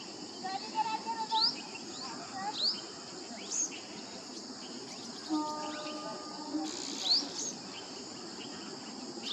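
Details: Asian green bee-eater at ARAI Tekdi, Pune, recorded with a Nikon Coolpix P950: short sharp rising high trills repeated every second or so, over steady insect buzzing and a low background hum.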